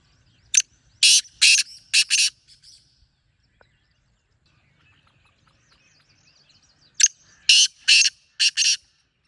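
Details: Wild black francolin giving two loud, harsh, grating phrases of four to five raspy notes each, one near the start and one about six seconds later, with near silence between them.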